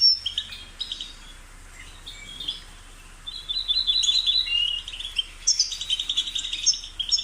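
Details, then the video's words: European goldfinch: scattered soft chirps over a faint low hum, then a burst of loud, rapid twittering and tinkling trills in the second half. "The sound of the goldfinch's chirping"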